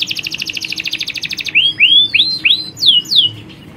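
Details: Male and female canaries in a colony, females calling to males; a rapid even trill followed by six slower, loud downward-curving whistled notes.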